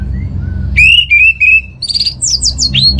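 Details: Orange-headed thrush song used as a lure recording to spur a kept contest bird into full singing; soft low whistles, then a loud sliding whistle and a run of sharp, varied chirping notes with a low hum beneath.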